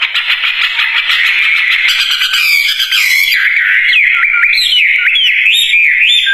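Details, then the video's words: Wambie singing nonstop: a dense, buzzy, harsh warble first, then shifting into clear whistled notes that leap sharply up and down in quick bent phrases. "Kicauan Burung Wambie Gacor Dorr"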